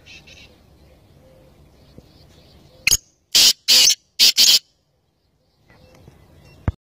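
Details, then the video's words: Black francolin (kala teetar) giving a loud, harsh, grating call of five rasping bursts, short then long, across about two seconds, with faint chirps from other birds and low rural background noise before and after. "Black Francolin (kala Teetar ) Amazing Voice || Black francolin voice || Kala teetar sound"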